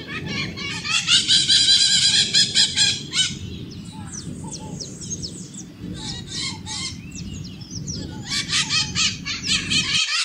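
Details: Maritaca parrots screaming: harsh, buzzy squawks in rapid bursts of several calls, loudest in the first three seconds and again near the end, with a low rumbling background throughout.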